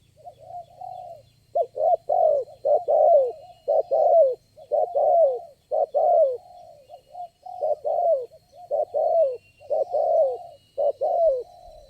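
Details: Spotted dove, the only wild bird calling at a trapping site, answering a lure bird: a steady series of low, hollow two- and three-note coos, repeated about once a second, with faint background hiss.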